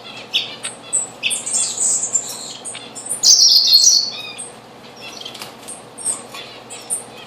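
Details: Diamond firetail at a bird bath on 04-06-2013, giving high, thin chirps and one drawn-out, slightly falling whistle about a second long, with soft flutters and background rustle.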